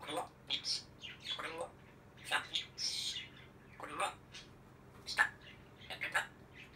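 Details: Grey parrot talking: a run of speech-like syllables, some clearly voiced and others breathy, delivered in short bursts with brief pauses, ending in a few sharper notes.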